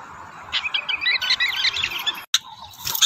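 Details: Rufous-tailed robin singing, a wild bird competing with caged birds: a quick run of short warbled notes lasting about a second and a half, then an abrupt break followed by scattered higher chirps.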